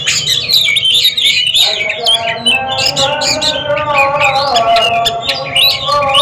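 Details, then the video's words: Oriental magpie-robins in a singing contest produce rapid, varied chirps and whistled phrases, fairly continuous, with a noticeable steady hum and low background noise. "DUEL MAHAKARYA || KACER RING"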